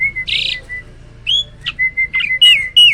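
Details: Hybrid myna in loud song: a steady, level whistle runs through the clip, broken by a buzzy burst near the start and several sharp, slurred notes toward the end.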